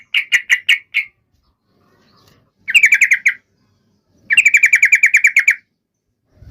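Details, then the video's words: Yellow-vented bulbul in fighting song, used to make rival bulbuls respond: three bursts of quick, evenly repeated harsh chattering notes, the last the longest at about a dozen notes, with silent gaps between. "trucukan gacor SUARA TARUNG INI menjadikan burung trucuk gacor NYAUT SEKETIKA"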